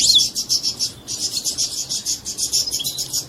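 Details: European goldfinch mating song, said to make the female take a mating posture; rapid buzzy twittering high-pitched notes pulsing in quick succession, with a brief pause near one second.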